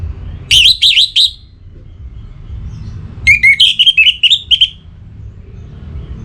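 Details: A kept orange-headed thrush in breeding condition, from Singaraja in North Bali, calling a rival with two loud phrases of quick, ringing whistles. The second phrase is longer and opens on lower notes before rising. A soft rumble is heard throughout.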